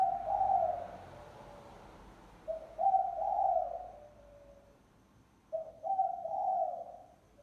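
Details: Spotted dove lure call: three low, hoarse cooing phrases, each a short rising note followed by a longer drawn-out coo, spaced about two and a half to three seconds apart, over quiet background.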